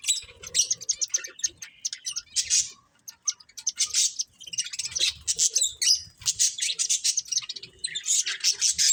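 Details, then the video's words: A breeding pair of budgies chatters at length in scratchy, buzzy warbles and chirps, in long runs broken by one brief quiet spell. "Cute Budgies Chirping Sounds"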